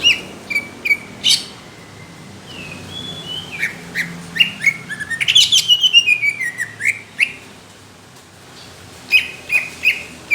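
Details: Caged greater green leafbird singing a competition-quality song, rough and thick: spaced sharp chirps open, a dense loud burst of rapid slurred notes follows mid-phrase, and a quiet gap precedes more clipped chirps.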